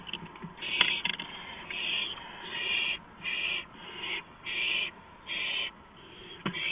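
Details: Owl on a porch at 2:05 AM on April 5, 2015, giving six harsh, breathy hissing bursts about half a second long, repeated roughly every 0.8 seconds over a steady background hum, with a few sharp clicks.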